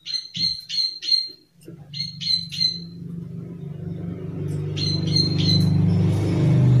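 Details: Bursts of high, sharp clicking from a plain prinia, its 'klik klik' call in groups of three or four notes, while a low droning engine-like hum grows steadily louder.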